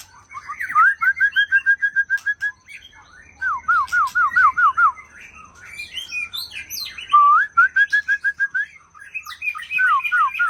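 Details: Aceh white-rumped shama, described as a young forest bird, singing fast rattling trills and rolling series of looping whistled notes, then a sharp rising whistle and more trilled runs, over a faint low hum and a steady thin whine.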